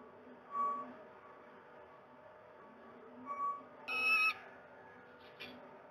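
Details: Peregrine falcon male at a Moszna, Pruszków nest in Poland, demanding to swap duties; two soft short notes a few seconds apart, then a louder harsh, buzzy harmonic call and a brief faint squeak.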